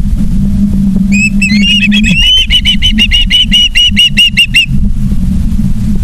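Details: Osprey at a Charlo, Montana nest, live cam, 09/03/2023 at 18:54: a few rising whistled notes build into a rapid, even series of about a dozen high chirps, over constant low-pitched rumble.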